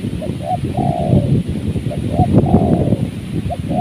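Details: Spotted dove heard during bird trapping in a season of strong wind, giving soft mellow coos, short notes and a longer drawn coo repeated twice, under heavy rumbling wind noise.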